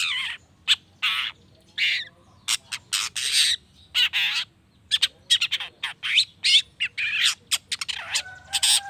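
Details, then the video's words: Long-tailed shrike song aimed at making other shrikes answer: long sequence of loud grating squawks and chattering bursts, irregularly spaced, some with thin whistled overtones. "PANCINGAN CENDET❗NAIKAN EMOSI CENDET MANAPUN AGAR CEPAT NYAUT LANGSUNG IKUT BUNYI"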